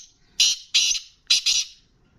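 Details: Black francolin giving a call: four harsh, rasping bursts, the last two closely paired, with short pauses in between and a quiet background.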